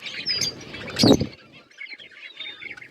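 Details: Budgerigars eating and chirping give soft, high, scratchy chirps and chatter throughout, broken by a loud wing-flap or thump near the middle.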